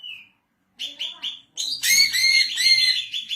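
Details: Caged female greater green leafbird from Indonesia, kept for training and luring; a brief slurred whistle, three short repeated chirps, then a dense burst of high, squeaky chattering song.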